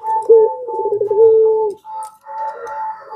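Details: Pelung-style Barbary dove lure call meant to make other doves reply: a brief wavering onset drawn into one long, even, low coo, followed by a softer tonal phrase.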